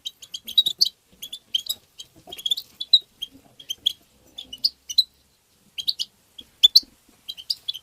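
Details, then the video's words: Rapid tabtaba chatter from a European goldfinch, intended to stimulate goldfinches: continuous high, bright twittering phrases of metallic chips and short trills, broken by brief pauses. "ندهات تبتة حسون مقنين بتبتات وتغريد الحسون بتبتة مجنونة لطيور"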